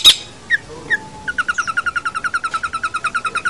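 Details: Long-tailed shrike for tutoring other cage birds: two or three separate chirps, then a steady even trill of about twenty clear notes at roughly six per second.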